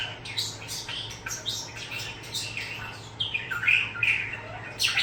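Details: A young starling that has just learned new words and sounds from an older male starling chatters in quick bursts of high, scratchy squawks, clicks and whistled phrases over about five seconds, in a quiet indoor room with a faint low hum.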